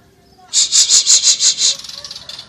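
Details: Asian brown flycatcher singing actively: a quick run of seven buzzy, high rasping notes evenly spaced about every fifth of a second, then fainter trailing chatter.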